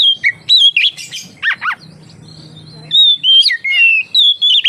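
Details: Oriental magpie-robin song for luring other magpie-robins into singing: clipped whistles and two sharp descending chirps, a quiet pause, then a long even whistle followed by quick wavering phrases.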